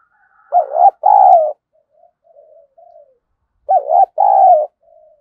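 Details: Spotted dove kept as a decoy bird, cooing to provoke rival doves to fight and coo; a 'thổ' style voice. Two loud two-part coos, a short note then a longer one, about three seconds apart, with soft low murmurs between.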